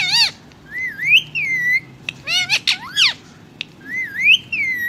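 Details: Speaking in Hindi, a ring-necked parakeet alternates speech-like harmonic syllables with wavy, upslurred whistles, ending on another rising whistle.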